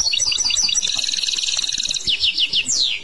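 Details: European goldfinch in clochette song: continuous rapid twittering and bell-like tinkles, ending with a few descending, slurred whistled notes.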